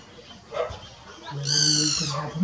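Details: Great barbet at Dwarahat, Uttarakhand, India, 5000 feet, middle Himalayas, 10 April 2023 at 6:19 pm in breeding season, giving a different locating/contact call to its mate: a single loud, nasal, harmonic-rich mewing note of about half a second, brief human murmur before.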